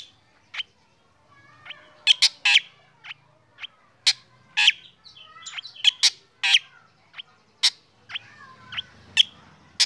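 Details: Morning song of a black drongo set out in the sun, its singing stirring other birds: a busy run of sharp, scratchy notes mixed with short whistles, delivered irregularly throughout, in a quiet background.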